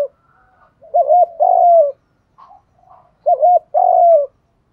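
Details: Spotted doves, male and female, cooing to provoke rival doves into answering and fighting: two bouts of low, rounded coos, each a short double note then a longer drawn, falling coo, with a quiet pause between.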